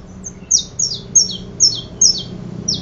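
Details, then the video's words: Loud, close saffron finch giving a run of sharp descending chirp notes, roughly two to three per second, each dropping steeply in pitch, in a quiet setting. "Canario da terra"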